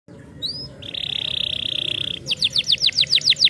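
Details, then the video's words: Canary song used to stimulate silent canaries into singing: a couple of thin rising whistles, then a long steady buzzy trill, then a fast run of repeated sweeping notes, about four per second. "Canários silenciosos cantaram imediatamente ao ouvir o som desses canários"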